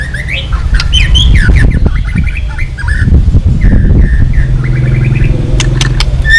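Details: White-rumped shama singing a long training song meant to provoke other shamas: varied whistled phrases and sharp clicks, set over a constant low rumbling background noise.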